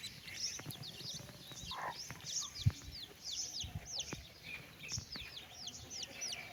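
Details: Chicks answering a mother hen that calls them for a walk: many clear, rising, high peeps repeated rapidly throughout, one lower cluck early on, and a sharp low knock midway.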